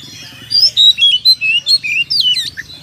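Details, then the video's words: Oriental magpie-robin singing to provoke other birds into fighting: a rapid run of loud, varied whistled notes, rising and falling sweeps and trills, about ten bursts in under three seconds, over a faint low background hum. "PANCINGAN KACER GACOR BIKIN EMOSI TARUNG NGEPLONG"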